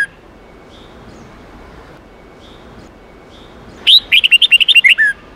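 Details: Red-whiskered bulbul song used to train young birds in the wild 8-9-10 note style: faint short whistles, then a loud burst of about nine rapid, bright chirped notes ending on a lower slurred note.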